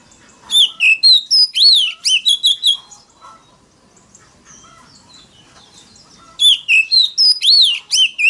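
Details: Oriental magpie-robin singing loud, rich whistled phrases with sweeping rising and falling notes in two bursts, separated by a few quiet seconds; a fighting song used to provoke rival males.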